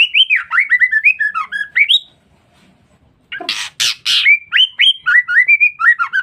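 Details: Lure calls of a female white-rumped shama, meant to provoke males. A rapid series of rising and falling whistled slurs is broken by a pause. Then come three coarse, scratchy bursts, followed by more quick whistled upslurs.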